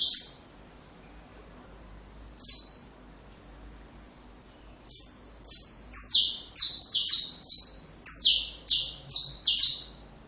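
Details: Saffron finch singing, recorded to train young birds: a couple of isolated high notes, a pause of a few seconds, then a quick burst of about a dozen strident, falling notes repeated rapidly.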